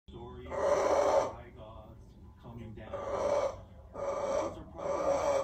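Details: Amazon parrot giving a scary-sounding vocalisation: three harsh, raspy, moaning bursts of about a second each, with quieter breathy, wheezing sounds between them.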